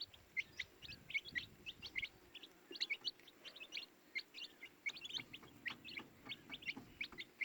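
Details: Baby chicks peeping steadily, bright high chirps from several birds, some louder notes standing out about once a second over the busy chorus.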